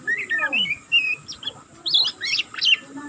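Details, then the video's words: Young oriental magpie-robin still learning its song, giving non-stop ngeriwik twittering: quick varied chirps, slurred whistles and short rising and falling notes in rapid bursts, with a steady high hiss behind. "burung kacer pastol ngeriwik pastol paud masih belajar pokal ngeriwik tanpa putus"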